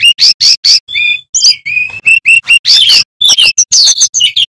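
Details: A male bamboo flycatcher (sikatan bambu) sings a fast, varied run of high, sweet chirps and whistled notes, some rising and some trilled, delivered in quick bursts with brief gaps.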